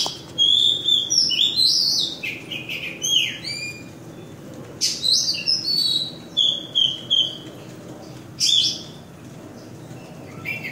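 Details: An oriental magpie-robin sings at Kota Kemuning, Selangor, Malaysia, in 2017. The song is a varied run of clear, high whistled phrases, sweeping and slurred notes, delivered in bursts with short pauses between them.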